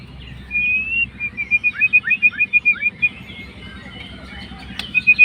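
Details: Fighter white-rumped shama singing to provoke a rival: a brief whistled phrase, then a fast series of about twelve clipped, repeated high notes with small downward slurs, ending with a short whistled note.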